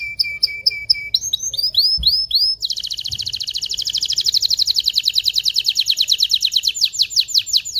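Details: Canary in excited song to stimulate mating: a steady low whistle, then rising arched notes, then a long, fast rattling trill that continues to the end.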